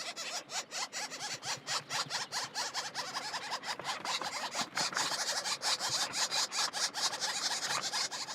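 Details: Woodpecker nestlings in a nest hole high in a tree screech without pause, a dense chorus of harsh, high, rasping cries pulsing roughly once a second, several chicks calling over one another while parents bring food.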